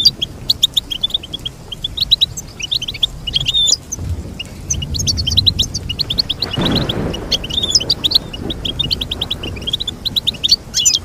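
Goldfinch song: fast, liquid twittering and tinkling high notes pour out almost without pause, with brief buzzy trills. A faint low rumble sits underneath.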